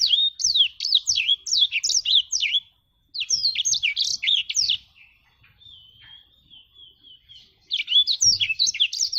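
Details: Lively black-throated canary song: three bursts of rapid, swooping high whistles, split by brief pauses and a soft, wavering thin phrase.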